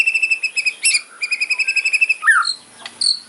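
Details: White-rumped shama fighting song, an aggressive 'kretekan' style: rapid rattling trills of stacked clicks, a sharp rising whistle, then a descending slurred note and brief chips.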